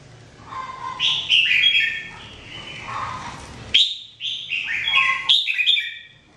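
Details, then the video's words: Red-whiskered bulbul trained to sing daily, pouring out continuous warbling phrases of slurred whistles and chattering notes, with soft lower tones mixed in and some background hiss early on. "Training Jambul bird singing everyday 2017"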